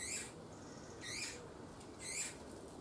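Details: Eurasian bullfinches at feeding in June: three loud harsh wheezy calls about a second apart, each a burst of rising and falling raspy notes, over quiet background.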